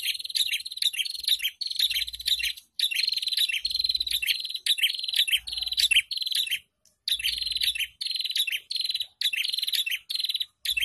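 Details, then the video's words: Several prinias in an ombyokan chorus, played as a lure so raw caged birds start singing: long runs of fast, buzzy, rattling phrases, one after another, with a single short gap midway. "Pancingan Burung Prenjak Bahan ( Ombyokan )"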